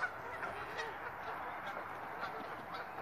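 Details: Early-spring geese in a preserve during grand weather, 2017: a steady wash of distant honking from many birds, calls blending into a continuous murmur with a few sharper honks standing out.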